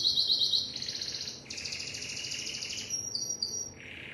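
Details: Timbrado canary song opening with a quick series of clipped notes, then dense high rolls, a lower buzzy passage, bell-like high notes and a closing lower roll.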